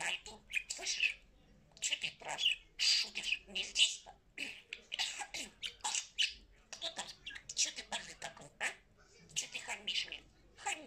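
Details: Domestic parrot speaking: a steady run of clipped, speech-like syllables and harsh squawky bits, grouped into short phrases with brief gaps.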